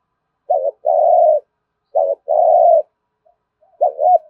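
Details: Low, soft coos from a spotted dove in thúc gù style: two phrases of a brief note and a long steady coo, then a further double note at the end.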